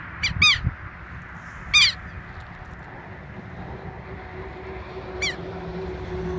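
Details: Two southern lapwings guarding a nest in the same spot, calling and peeping persistently. A quick double harsh note opens, followed by a louder strident call and a fainter one at irregular gaps, with low rumbling background noise.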